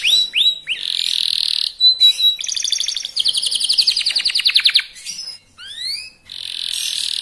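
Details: Young local canary in full song, singing fast to provoke other birds into answering: varied high phrases of rapid buzzy trills, sweeping whistled notes and dense rolling chatter, with brief pauses between bursts.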